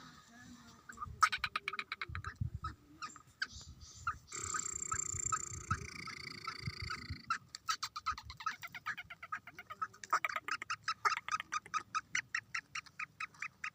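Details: Eight-month-old young black francolin, kala tetar, being frisky; harsh, rapidly repeated grating notes run in a fast series, with a longer buzzy stretch in the middle and low rumbling noise underneath.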